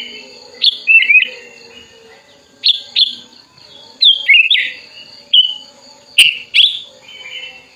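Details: Sooty-headed Bulbul, tame and raised from a chick, singing eagerly with wings open to call a rival: a lively series of short, bubbling whistled phrases with quick rising and falling slurs, repeated every second or so, over a quiet steady hum.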